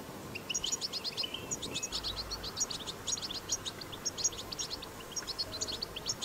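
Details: European goldfinch in the wild delivering batbata song, a continuous run of rapid, high, tinkling twitters and short buzzy notes packed tightly together, with a low rumble in the background.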